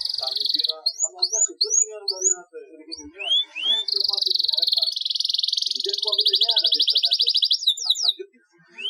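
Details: Long-rolling canary song used to spur reluctant canaries to sing, with repeated rising whistles, then sustained rapid trills and a fast chattering roll; faint lower chirps sound underneath.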